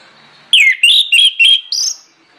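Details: Orange-headed thrush singing as a lure to draw song from other birds: one rapid phrase of five loud, bright whistled notes, each with a quick downward slur, the last rising higher and sustained.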